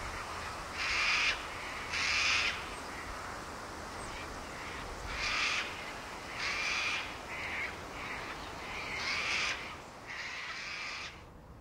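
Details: Wild Sulphur-crested Cockatoo in Australia giving harsh, grating screeches, about eight raucous blasts at uneven intervals over a steady hiss of background noise.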